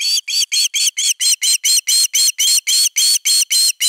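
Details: Osprey at nest #3 on 31 August 2021, defending its nest: high, sharp whistled notes in a steady run of about four per second, each note briefly rising and falling, with no other sounds.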